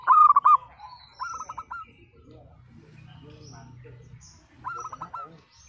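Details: Local zebra dove singing actively in a 'pecah' (split-voice) style, used to prompt silent, lazy birds to sing: short bursts of rapid, rolling staccato coos repeated three times, with a low steady hum and faint high chirps behind.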